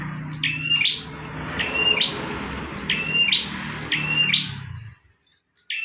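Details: Bar-winged prinia in full song for a master recording, delivering five bright, metallic two-part phrases at roughly one-second spacing against continuous low background rumble, ending abruptly.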